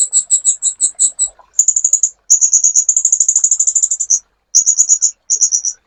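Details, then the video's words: A high, thin string of spaced chirps opens this sunbird song, recorded as a master for teaching songbirds. It then becomes dense, fast buzzy trills of varying length with short silences between. "MASTERAN BURUNG KOLIBRI"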